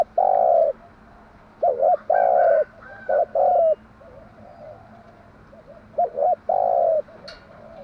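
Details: Morning song of a spotted dove, used as a decoy to make doves coo: three loud phrases, each with short paired notes before a longer hollow coo, separated by quieter stretches with faint background coos.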